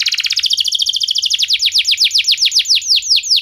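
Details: Canary prompting song for other canaries: a fast rattling trill that slows into separate downward-sweeping whistled notes, repeated roughly four per second, loud and clear.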